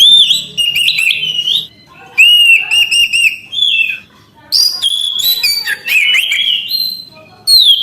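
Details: Anis kembang, the orange-headed thrush, delivering loud fluty whistled phrases, some held and wavering, others quick and slurred, in bursts of one to two seconds with brief silences.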